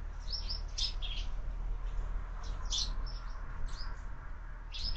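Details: Sparrows at feeders mounted on a window, feeding at breakfast: high, scattered chirps in short clusters every second or so, over a steady low hum.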